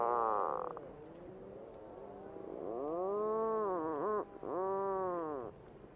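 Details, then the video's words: Puffin moaning: a brief buzzy note, then a low swelling groan that wavers and dips, and after a brief gap a final arching moan. "Real Puffin Sounds"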